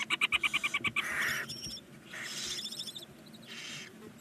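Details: Nine barn owl chicks, nineteen days old, in a nest box on a chimney side in Ságvár, Hungary; a rapid series of about ten clipped, chittering notes, then several harsh, breathy hissing bursts of about half a second.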